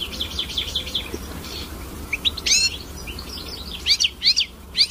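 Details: Hooded siskin song: quick high twittering notes, some faint at first, then sharper, clearer chirps and slurred whistles in short bursts toward the end, over a low background hum.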